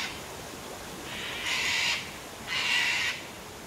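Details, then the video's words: Cockatoos at Tanninaba Falls, Springbrook, on their daily sunset drink at a waterfall, 19 May 2024: two long harsh raucous screeches about a second apart over steady rushing water. "Cockatoos! Daily Sunset Drink at Waterfall"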